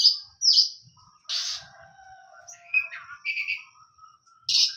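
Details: Oriental magpie-robin (kacer) giving scattered loud harsh notes and short whistled phrases separated by quieter gaps, with faint low background noise.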